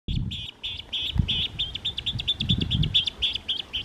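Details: Clark's or western grebe on San Francisco Bay: a rapid series of short, creaky, grating notes repeated steadily, with low rumbling water or wind noise underneath.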